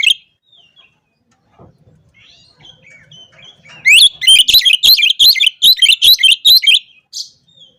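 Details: Oriental magpie-robin singing ngobra style to challenge opponents. Scattered faint whistles and warbles build into a loud, rapid volley of sharp chirps lasting about three seconds, then a last single note.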